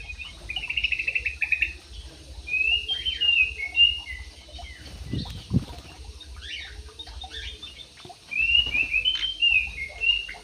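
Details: Javan pied starling giving buzzy rattled trills and short sliding whistles in broken phrases, with a dull thump midway and steady low background noise.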